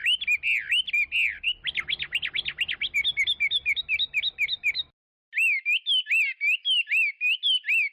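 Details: Chinese hwamei in full song, rolling liquid whistles in fast succession, a spell of rapid zigzagging trills, a brief silence, then more repeated swooping phrases.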